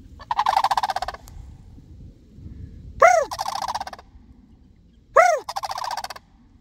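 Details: A rattling crane call, then two more calls about two seconds apart, each opening with a rising-falling arched note before a rolling pulsed trill, as sandhill cranes answer a person.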